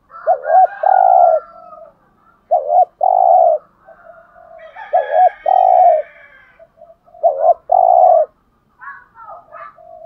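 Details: Spotted dove (cu gáy, cu đất) cooing to excite a kept male: four repeated low phrases, each two short notes and a long steady coo, roughly every two seconds, with faint chirping from other birds between.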